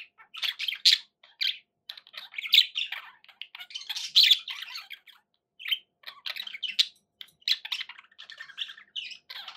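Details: Budgerigars kept as pets give a busy, irregular stream of chirps, rasping squawks and warbled notes, several overlapping bursts with short gaps, in a quiet room.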